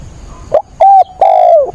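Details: Decoy spotted dove in a cage, cooing hard during a 28 October rainstorm to lure wild doves: a short rising note, a level hollow hoot and a long, loud coo that falls at the end.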